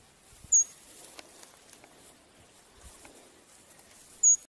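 Green-bearded helmetcrest: two very high, thin, sharp chips about four seconds apart, over a soft background hiss with faint scattered ticks.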